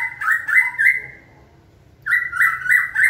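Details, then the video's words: Caged white-rumped shama being trained to sing on cue, repeating a strong clear note in fast bursts, a short pause, then another quick run of the same ringing notes. "Kỹ thuật kích thích lửa cho chim hót (shama bird)"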